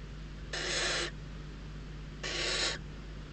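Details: Hungry barn owl nestlings at Riet Vell reserve in Spain's Ebro Delta squabbling over prey; two noisy rasping hisses about half a second each, nearly two seconds apart, over a low steady hum.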